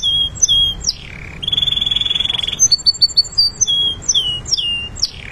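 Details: Canary training song: clear whistled notes and sliding phrases, a fast even rattling trill held for over a second, then quick repeated chirps and downward-slurred whistles. Loud, bright and high-pitched throughout.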